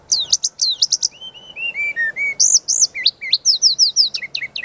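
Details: Brown-chested jungle flycatcher in a dense, varied training master song: rapid high looping notes, a falling run of clear mid-pitched whistles, then bouncing rising-and-falling phrases and a string of sweet slurred whistles, delivered without pause.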